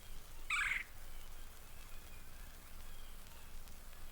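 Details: Red-bellied Woodpecker, the most common woodpecker at Mountain Lake Sanctuary, Lake Wales, Florida, gives a single rolling, churring kwirr near the start, about a third of a second long, then quiet background hiss; from a 1970 record.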